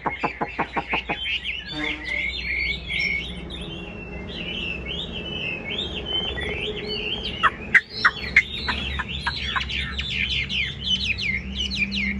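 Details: Opening with rapid clicks, a caged Chinese hwamei moves into a long, varied stream of looping whistles and chirps, with scattered sharp clicks mixed in.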